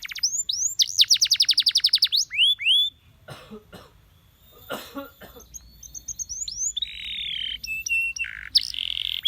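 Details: Canary song meant to coax other canaries into singing: a rapid trill of sharp repeated notes and upswept whistles, then a quieter noisy pause with clicks, followed by sustained pure tones and buzzy rattling phrases.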